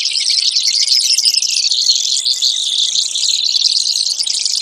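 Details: Brewer's sparrow pouring out thin, high, canary-like trills, one buzzy series running straight into the next with barely a gap.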